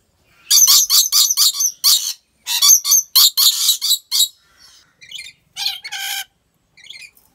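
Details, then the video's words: Rainbow lorikeet from a wildlife park in Aceh: a quick burst of harsh chattering screeches that then thins out into softer, spaced, squeaky notes toward the end. "Rainbow Lorikeet Sounds"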